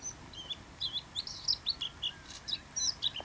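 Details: First-winter male bluethroat singing in autumn at Ria Formosa Natural Park, Faro, on 30 October 2012: a quiet, varied run of short high chirps and twittering notes, about three a second, over faint low background noise.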